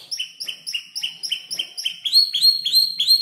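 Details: Young canary roughly five months old composing song from heard tutor birds; fast series of short rising chirps repeated about three times a second, then a higher, brighter phrase type takes over.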